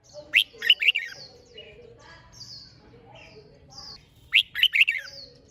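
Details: Red-whiskered bulbul singing in a recording meant to stimulate birds to sing often. Two short bursts of bright, quick chirped and whistled notes, one near the start and one near the end, with faint murmuring noise between.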